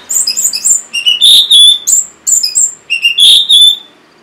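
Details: Loud, fast song of an orange-headed thrush, played to encourage quiet caged birds to sing: a continuous string of high whistles and sweeping notes, each phrase linked to the next with no real break.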